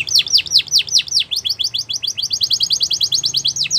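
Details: Singing canary meant to get other canaries singing: a series of loud descending sweeps about four per second, shifting into a quicker run of short repeated chirps, all high and clear.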